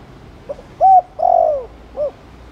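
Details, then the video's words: Spotted dove in the Thổ Đồng cooing style, used to stimulate other doves to coo: a soft short note, then a mellow hooting coo and a longer falling drawn-out coo, ending with a brief low note against faint background hiss. "Cu gáy Thổ Đồng kích bổi nhanh nổi/Chim cu gáy Chiêu + Gù kích bổi ức chế mau gáy/Kích là gáy ngay"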